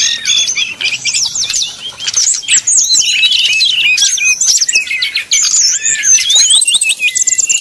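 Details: Lure song of a brown-chested jungle flycatcher, 'nyuling' flute-like singing to provoke rival birds: rapid, tumbling high whistles and trills, busy and almost unbroken throughout.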